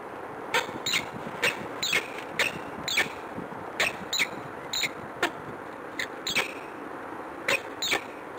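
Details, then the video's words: A peregrine falcon at the Palace of Culture and Science, Warsaw, on 21 February 2015 around 14:10 gives harsh, clipped notes about two a second, in uneven bursts, over a faint steady high hiss. "Peregrine Falcon"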